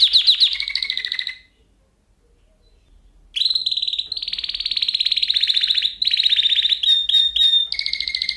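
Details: Lesson song for canaries: a trill over a low whistle fades into two seconds of silence, then loud rolling trills resume, with brief clear whistles before a last trilled phrase.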